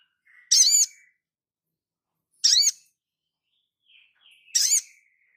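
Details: Crimson sunbird, a caged singing bird kept in full song, giving short, loud, high buzzy-trilled bursts about every two seconds, each a dense chattering phrase, with faint thin whistles between.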